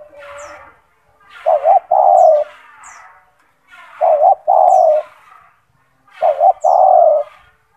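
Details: Loud gacor spotted dove (tekukur), a kept bird with a big, strong voice, recorded as a master song for teaching other doves: three repeated coo phrases, each a short doubled note followed by a sustained, mellow coo, roughly every two and a half seconds.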